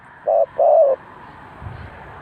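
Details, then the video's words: A dove used as a decoy at a bird trap gives two loud, low cooing notes. The second note is longer and slides slightly downward, and a quiet pause follows. "The Sound Of Dove"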